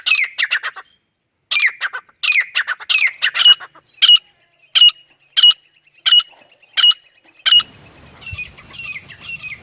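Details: Shrill, rhythmic calling of a female and male grey francolin: bursts of fast high notes, then evenly spaced piercing single notes about every half second, ending under a faint steady hum and rustling.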